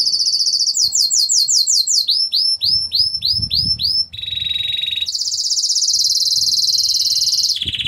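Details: Singing intense yellow Belgian canary: rows of swooping high upslurred notes repeated about twice a second, then a low chattering roll and a long, very high fast trill.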